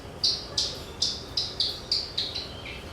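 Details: Javan bush lark song, played to get other birds singing: a quick series of eight bright, high chirped notes, about three a second, the last dropping lower.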